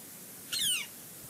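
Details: A single high, thin descending squeal from a bald eagle pair at the Fraser Point nest in August 2018, a brief strained note with a faint tail, heard against low constant hiss.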